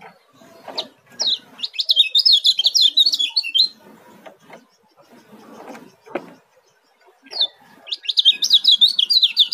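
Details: Oriental white-eye, known locally as kecial kuning, a juvenile from Lombok, delivers two long rapid streams of high zigzag twittering notes separated by a pause filled with faint knocking and clatter.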